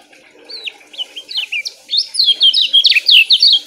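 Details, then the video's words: Lemon-bellied white-eye song, played as therapy for lazy-singing birds: fast, tightly packed but short phrases, loud and steady. Quieter scattered chirps give way to rapid high whistled notes that slide up and down, bunched into quick bursts. "TERAPI BURUNG KECIAL KUNING"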